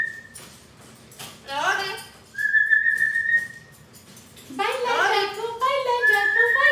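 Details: Home parrot in a room, mixing a sustained flat whistle lasting about a second with bursts of harmonic, speech-like chatter that rises and falls in pitch.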